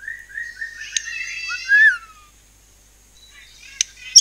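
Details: White-rumped shama singing in the 'nembak cungkok cililin' style, used to provoke other birds into singing: a brief run of whistled notes, then a rapid descending trill and a bright upslurred whistle, followed by silence and a few sharp clicks.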